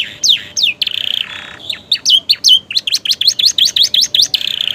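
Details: Caged canary in fresh feathers mimics prinias: high down-slurred whistles, then a brief buzzy trill, then a rapid series of sharp, even, high chirps repeated several times a second.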